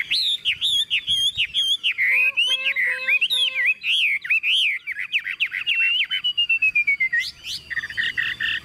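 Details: Caged, tame Chinese hwamei in full song while its cage is carried and shaken by hand: fast, looping whistled phrases, a series of repeated sharp notes, a long thin falling whistle, then harsher chatter.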